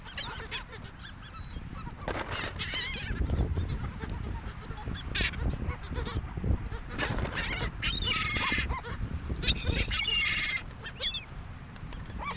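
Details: Seagulls on a sandy gulf shore, mixing with people: scattered high, thin calls early on, then a dense cluster of overlapping harsh cries in the second half, set against low surf noise.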